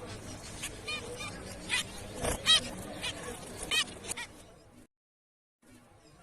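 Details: Zebra finch sounding repeated short nasal beeps in a busy, irregular series, followed by a brief total silence and then faint low background noise.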